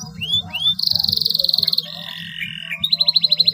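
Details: Canary song meant to coax quiet canaries into singing: two rising whistles, a rapid high buzzy trill, a lower steady rattle, then a quick series of repeated bright notes, with low rumble beneath.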